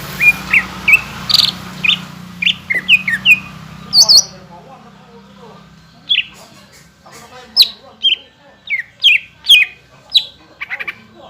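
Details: Greater green leafbird song used to make other leafbirds sing: a sequence of sharp varied chips and whistles, first over a hiss, then clearer notes after a short pause.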